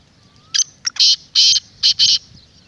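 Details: Black francolin call, used to make a kept francolin call and to draw wild francolins; a run of harsh, grating broadband notes in uneven bursts, with two short clicks first, over a quiet background.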